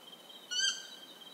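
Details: One crisp, clear harmonic call from a Stygian owl in Ecuador rises abruptly and fades within about a third of a second; constant high insect tones continue underneath.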